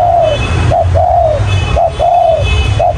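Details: Spotted dove kept as a trapping decoy. It gives a short rising note, then a longer falling coo, with the pattern repeated about once a second over a steady low rumble.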